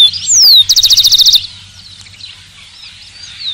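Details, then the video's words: Rufous-collared sparrow song with a loud, clear slurred whistle sliding up and down, then a rapid trill of about ten identical notes lasting under a second, with faint chirps of other birds continuing afterward. "Tico-Tico - Uma hora de canto"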